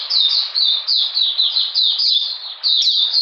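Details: Oriental magpie-robin singing in cold, rainy weather on 13 June 2020: loud, high whistled phrases, each a quick downslurred note, repeated about three times a second with brief pauses.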